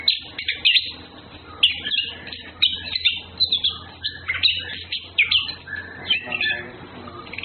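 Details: Anis Kembang, the Orange-headed thrush, with males and females courting: rapid, tumbling sequences of high chirps and whistled trills, repeated in quick phrases roughly every half second, with a low background hum.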